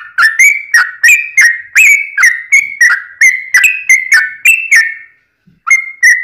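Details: Yellow-vented bulbul fighting song used as a lure so other bulbuls call back: an even string of about fourteen bubbly, whistled chirps, roughly two each second, a short gap, then two more.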